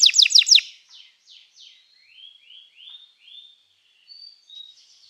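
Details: Canary song for training: four loud quick chirps open, then soft slurred whistles drift down and rise, spaced about every half second.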